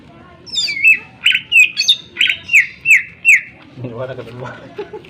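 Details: Greater green leafbird song used as a lure to make other birds sing: a run of sharp downslurred whistles about three per second, then quieter low warbling murmurs toward the end.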